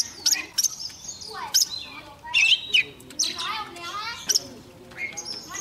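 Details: Young Oriental magpie-robin singing eagerly with a wild bird close by. Sharp high notes, sweeping whistles and short buzzy trills come in quick, irregular bursts, with softer chatter in between.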